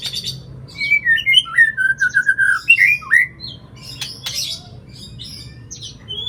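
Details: Oriental magpie-robin song intended to prompt a silent bird to sing: a burst of slurred whistles and a quick repeated trill, followed by scattered sharp, scratchy notes and clicks over a low hum.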